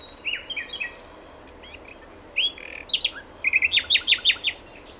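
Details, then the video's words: Common nightingale delivering varied song phrases: quick chirps and whistles, then a loud accelerating series of sharp repeated notes, clear against a quiet background. "Fülemüle éneke /nightingale his song/"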